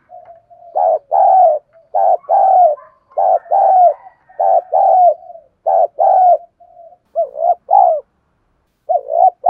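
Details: Spotted dove cooing steadily to stir rival males into calling, strong full voice: a run of paired low coos, short then drawn-out, with faint murmuring notes between phrases, repeated over nearly ten seconds.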